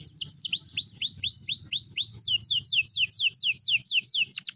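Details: Song of a green canary, made of bright, high, descending slurred whistles repeated rapidly and evenly about twice a second. The song speeds into tighter notes at the close, with soft low rumble beneath.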